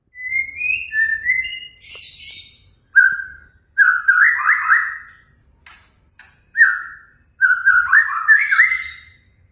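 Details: White-rumped shama lure song: rising whistled phrases, a harsh high burst, then a run of loud fluting notes and warbled slurs separated by brief pauses.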